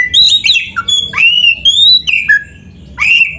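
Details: Oriental magpie-robin in full, rich song (gacor isian), used as a master song for training: clear whistled phrases, some rising, others falling or slurred, with short breaks between notes and a faint low hum beneath.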